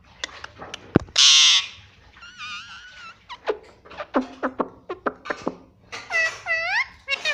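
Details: Pet parrot described as talking and saying "mummy"; opens with a harsh squawk, then wavering harmonic notes and a run of short clicks and chirps, ending in scooping voice-like calls.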